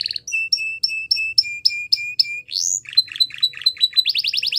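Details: A Belgian canary sings for young canaries to learn from. Evenly spaced two-part chirps come about three per second, then a rising sweep, soft dropping notes, and a quick bright trill.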